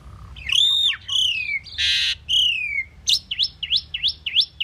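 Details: Common pied myna delivers descending slurred whistles and a noisy harsh burst, then a rapid string of about six sharp dipping chirps.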